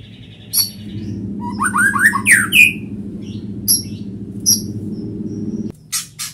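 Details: White-rumped shama quick to answer with song: a series of rising whistled notes stepping upward, sharp high chips between, over a steady background hum that cuts out near the end.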